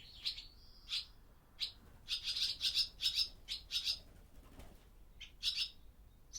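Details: Barn swallows in an old barn by day at the start of the breeding season, recorded with a Zoom F6 and Sennheiser MKH: sharp high chirps, singly and in quick clusters, about two or three per second, with quiet gaps.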